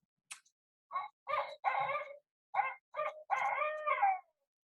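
A Barred Owl gives a rhythmic series of about seven loud, rich hoots over four seconds, ending in a longer drawn-out note.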